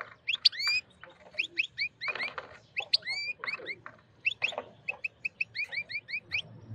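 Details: Excited wild goldfinch male mating with a white female canary sings loudly: rapid bursts of bright, tinkling, slurred twitters and chirps in quick runs, broken by short rustling wing-flutter noises.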